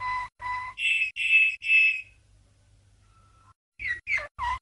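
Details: Training song from a champion Malinois canary of 1997: two mellow low notes, three loud harsh sustained tones, a faint long whistle, then quick slurred chirps.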